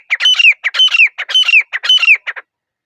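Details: {'caption': 'Grey francolin (teetar) calling in a quiet forest: loud, harsh repeated phrases, each a cluster of squeaky notes around a bright whistled downslurred element, four phrases in quick rhythmic succession, no other sounds.'}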